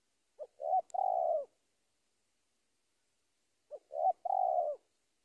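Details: Spotted dove calling to a rival, giving a three-part coo, two short hooting notes and a long burred final note, delivered twice with a long pause between.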